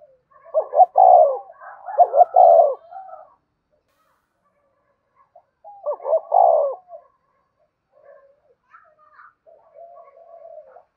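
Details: Spotted dove lure cooing: two run-together hoarse coo phrases early on, then a third after a pause. Scattered faint soft murmurs and higher chirpy notes follow toward the end.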